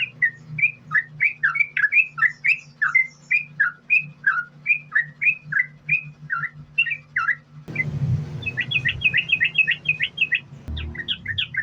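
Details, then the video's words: Yellow-vented bulbul in continuous 'sambung ropel' song, used as a lure to set other bulbuls singing: steady bubbly whistled phrases, then a quicker, higher chattering run over a burst of rumbling noise, with a constant low hum. "Trucukan Gacor, Sambung Ropel,Ini Ampuh Buat Pancingan Trucukan Agar Bunyi"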